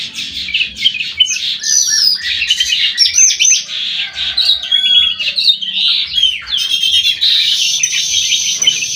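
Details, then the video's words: Kutilang emas mata putih, a black-crested bulbul, kept in an aviary and singing very actively; thick, unbroken jumble of high chirps, warbles and whistled slurs, several birds overlapping throughout. "KUTILANG EMAS MATA PUTIH SUPER GACOR"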